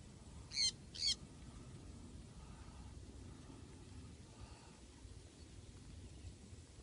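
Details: Sun conure (Aratinga solstitialis) flying free gives two loud, harsh screeches in quick succession, then falls quiet.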